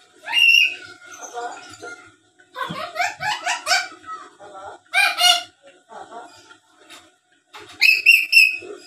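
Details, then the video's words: Black-capped lory chattering and talking: a whistled note, then a rapid string of rasping babbled syllables, a loud harsh squawk, softer mutters, and a final burst of clear whistled notes. "Suara Asli Burung Nuri Paltem Gacor Pintar Ngomong dan Ngoceh² Buat Pancingan"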